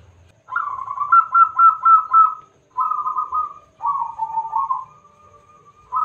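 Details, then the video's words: Loud-voiced local zebra dove, a frequent singer used as a lure to draw answering song from other birds. Three bursts of quick, bubbling pulsed coos, each phrase level or gently rising, parted by brief silences. "Perkutut Lokal Gacor Suara Besar - AMPUH Buat Pancingan - NYAUT!!!"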